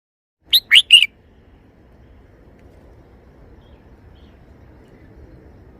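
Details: Red-whiskered bulbul giving its three-syllable song: three quick, loud whistled notes, the middle one sweeping upward and the last one bright and steady. A quiet hush follows.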